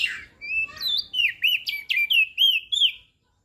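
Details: Crested white-eye from Lombok, singing actively, used as a training recording for birds that rarely sing: a rapid run of clear whistled notes, rising and falling slurs repeated about three times a second, sweet and bright, then silence.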